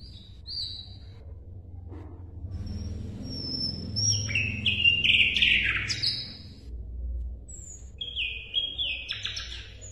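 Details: Asian brown flycatcher song used for tutoring competition songbirds. After a quiet opening, high thin whistles give way to a dense burst of buzzy, descending chatter, then more whistled notes over a low rumbling background.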